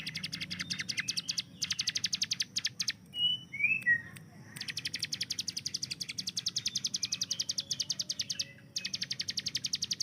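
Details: Rapid-fire "tembakan" song of the hill prinia (ciblek gunung), a tutor bird for training other songbirds: sustained fast series of sharp high ticks, broken by short gaps and a few louder chirps and slurred whistles midway.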